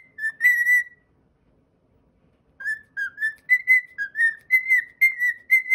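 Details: A pet cockatiel sings its self-made whistled tune, opening with a sustained clear note, then after a silent gap a quick series of short bright whistles, roughly two each second, gently rising and falling.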